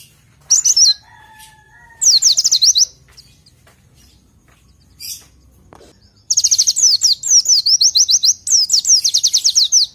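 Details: Oriental white-eye song for training: short bursts of high, fast, falling whistles, a gap with a faint lower whistle and a click, then a long run of rapid repeated downslurred notes.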